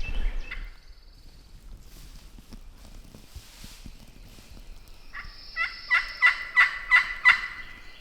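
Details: A wild turkey on heavily pressured public land in the southern US one morning during a hunt gives a brief raspy note, then after a pause six harsh, ringing yelps, about three a second, with light rustling between.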